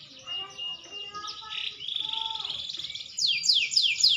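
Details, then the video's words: Green canary maturing in voice: soft whistled tones and a buzzy trill, ending in loud steep descending sweeps. "burung kenari hijau makin dewasa wakin baik kicauan nya"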